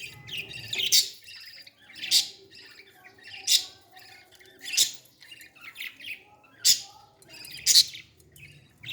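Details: Young parrot during feeding, making harsh, high, raspy squawks that repeat about every second, each swelling then fading, in an otherwise quiet room.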